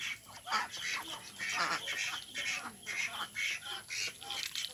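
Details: A group of ducks, Mallards, Mandarin Ducks and Pekin Ducks among them, gives loud, raspy quacks in bursts about every half second, with brief pauses between runs and a faint thin whistle mixed in.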